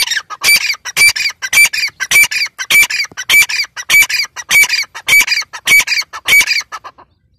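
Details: Female Grey francolin (teetar) giving rhythmic, harsh, scratchy calls: paired rasping notes with a sharp high edge, repeated at an even pace of nearly two per second for about seven seconds, background otherwise quiet.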